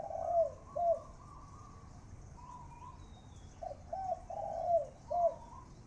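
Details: Captive spotted dove used as a decoy bird in Thailand giving its continuous khan yon cooing: soft low hooting coos in short groups, with a steady background hum.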